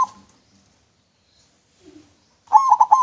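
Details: Local zebra dove singing clearly, suitable as a lure: a faint low note near the start, then one late burst of quick, trilling coos cut off at the end.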